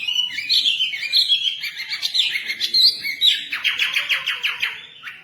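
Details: White-rumped shama kept as a hobby bird, responding to a training recording with continuous bright whistles and twittering phrases. The song ends in a rapid string of sharp repeated notes.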